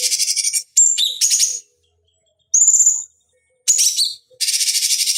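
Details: Cucak cungkok bulbul, recorded as a master for training fighting birds, alternating raspy pulsed trills, whistled slurs and one bright rising whistle, with brief pauses between phrases.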